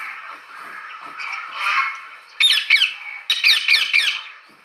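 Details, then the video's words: Parrot giving a burst of loud, raspy squawks repeated about four times a second in the second half, after a softer stretch of low chatter. "Parrot's sound!!"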